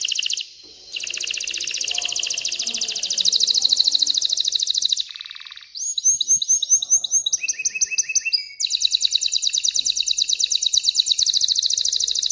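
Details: Excited canary singing to prompt females toward mating and nest building; long buzzy high trills, a series of sharp upswept notes, a lower repeated phrase, then another fast rolling trill; faint low murmur early on.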